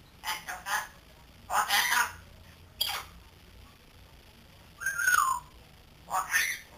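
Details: Three-month-old pet grey parrot learning to talk: short scratchy squawks and breathy sounds, with one clear falling whistle near the middle, in a quiet room.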